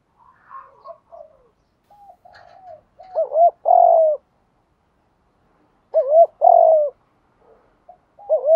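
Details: Cooing of a spotted dove, played to stimulate decoy doves during training: faint murmured coos build into three loud phrases, each a quick wavy double note then a drawn-out mellow coo, about three seconds apart.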